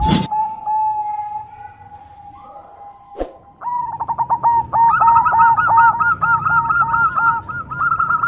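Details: Zebra dove of the Perkutut Cemani type, a kept contest bird: after a long steady tone and a sharp click, rapid rounded coo notes repeat in quick bursts, with overlapping series suggesting more than one bird.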